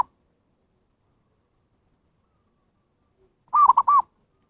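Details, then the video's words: Zebra dove lure call for drawing wild birds: long silence, then a single three-note coo near the end, held, clipped, held, mid-pitched and soft. "SUARA PIKAT PERKUTUT นกพิราบชวา Chim Cu Vằn | memanggil burung liar"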